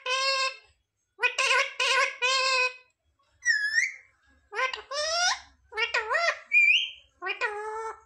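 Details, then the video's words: Words like "mummy papa" imitated by a pet parrot, heard as high, buzzy syllable groups with wavering pitch, one bright rising whistle and a short squeaky upward note near the end. "Parrot talking mithu mithu 😱Mummy papa bolne wala mitthu"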